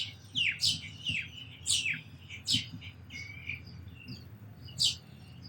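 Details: Sparrows chirping in quick bursts of bright, slurred notes, several close together and then a lone chirp after a pause, over a soft low hum.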